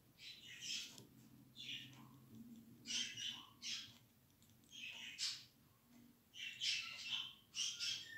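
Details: Budgerigar chicks being hand-tamed early, without hand-rearing: harsh, raspy, hissing calls in bursts of about half a second, repeated irregularly, with quiet room noise between.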